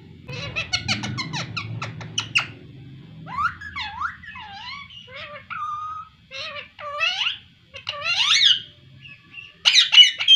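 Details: Pet talking parrot indoors: a burst of sharp chirps, then a run of short bent, warbling whistles and speech-like syllables, ending with quick bright squeaks; faint low rumbling at the start.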